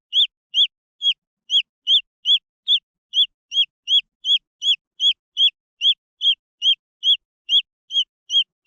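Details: High peeping of green junglefowl chicks, notes falling then rising, repeated somewhat irregularly at about two to three per second, clear against a quiet background.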